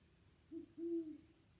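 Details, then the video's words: Great horned owl giving two deep, soft hoots, a short note then a longer, fuller one, against a quiet background; spring sounds. "Now let's listen to the great horned owl."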